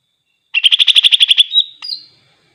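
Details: A greater green leafbird singing vigorously to goad other leafbirds: ten rapid, even, rasping notes in a tight series, then a gliding whistle, a sharp click and a higher drawn-out whistle, all against silence.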